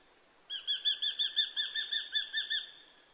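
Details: Eurasian hobby from a nature sound recording: an even string of about thirteen sharp, ringing kew notes given rapidly over two seconds, then fading out against a quiet background.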